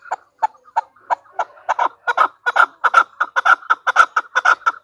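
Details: Calling female chukar: sparse, spaced clucks that speed up and grow louder into a rapid, rhythmic chatter of hoarse paired notes.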